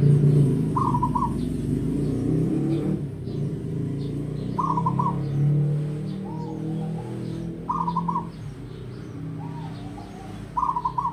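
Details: A local zebra dove of the wild type, an old bird kept in care for decades, gives short stuttering cooing phrases. They repeat roughly every three to four seconds over a heavy, low rumble of traffic.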